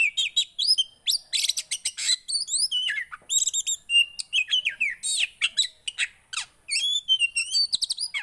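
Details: Captive Javan white-eye pouring out song used to make a silent bird sing: continuous rapid high chirps, buzzy bursts and sweeping whistled notes throughout.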